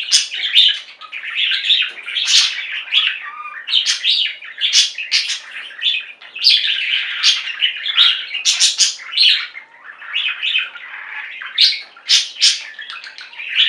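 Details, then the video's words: Pet budgies in a singing flock, kept indoors, producing a steady stream of chattering warbles, buzzy chirps and sharp high squeaks in overlapping bursts, with no pauses over the whole stretch. "Most Beautiful Budgie songs Ever: Budgies singing and chirping"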